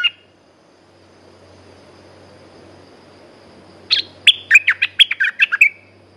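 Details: Red-whiskered bulbul kept in a cage, a lively lure-song bird: after a single chirp and a long pause, it gives a rapid burst of about a dozen crisp whistled notes with a trailing flourish, over a faint low hum.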